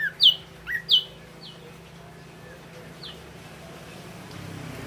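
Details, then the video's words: Ashy drongo, called red-eyed grey drongo, singing: a few sharp, high, downslurred whistled notes in quick succession at the start, then near silence with a faint low hum. "Suara asli burung srigunting kelabu mata merah"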